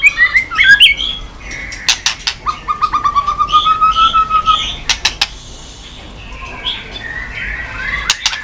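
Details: White-rumped shama stimulated into song while flicking its tail: a few quick whistled notes, then a long steady slightly rising whistle, scattered sharp clicks and softer fragments later.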